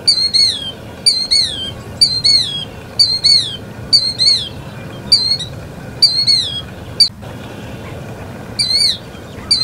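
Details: Killdeer of North, Central and South America uttering sharp, high, falling two-part calls in a regular series about once a second, with a brief gap and a soft click near the end.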